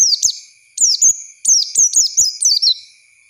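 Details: Oriental white-eye song used as a lure for training young birds: a rapid run of high, sweet descending chirps and slurred whistles in short bursts, with a faint steady high hum in the background.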